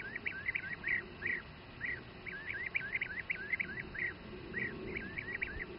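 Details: Adult bee-eaters bringing food to their young in Přerov region, Czech Republic: a series of short rolling trilled notes, some clustered, others spaced about half a second apart, with low background noise.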